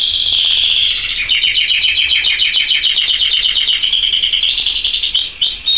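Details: Loud, continuous canary song of rapid high trills, a fast rattling roll changing in speed and tone over several seconds, ending in two short upswept whistled notes.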